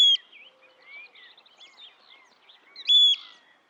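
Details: Eurasian oystercatcher in the wild: a clipped high pipe at the start, then a loud flat whistled pipe near three seconds, while other small birds twitter and warble quietly throughout.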